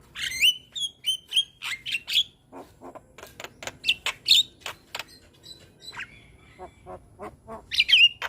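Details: Young Javan myna singing energetically, recorded so other mynas copy it: bursts of squeaky whistles, dry clicks and chattering notes, loud phrases alternating with softer ticking.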